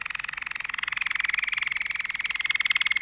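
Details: Quieter, slightly distant-sounding Malinois canary roll, a continuous, rapidly pulsed, bubbling trill held steadily for the whole stretch.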